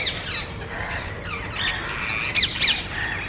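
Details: Small group of parrots visiting a neighbourhood in search of nest sites, probing electrical and TV cable boxes and calling loudly as if quarrelling; harsh squawks with rising and falling notes near 2–4k, several overlapping birds.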